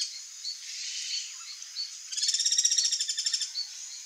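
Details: Wild ringed kingfisher (martim-pescador-grande) giving a harsh, fast, dry rattle of evenly pulsed notes lasting over a second, with a steady high insect drone and small chirping birds behind it.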